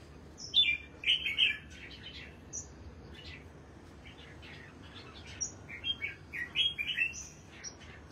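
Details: Competition red-whiskered bulbul kept by its keeper, singing after its bath: loud bursts of bright whistled and chirped notes near the start and again toward the end, with quieter notes between.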